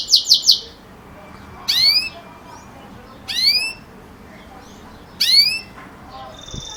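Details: Belgian canary, bell-style ('campainha') song for young birds: a brief bubbling trill, then three separate bright rising sweeps spaced roughly one and a half seconds apart, with quiet pauses between.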